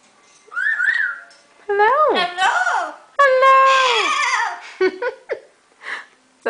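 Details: A female pet Amazon parrot chatters in the evening in bursts of speech-like syllables and sliding whistles, rising and falling with strong harmonics and short pauses, and also sings "Desperado".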